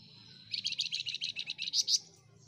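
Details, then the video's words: Flamboyan gacor phrase: a quick string of about a dozen crisp twittering notes that grows louder and ends in two bright, high, sharp pips. The background is calm. "Burung FLAMBOYAN Gacor"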